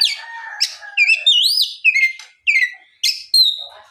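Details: Oriental magpie-robin giving afternoon song to draw replies from other magpie-robins; long pure whistles rising and falling, looping high notes and a few harsh chirps, all clear against silence.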